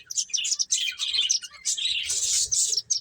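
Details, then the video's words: Finches playing, giving dense high chirps and short twittering bursts in quick succession, overlapping as if several birds call at once, with brief gaps between busy phrases. "Cute Birds Chirping Sounds | Beautiful Finches Playing"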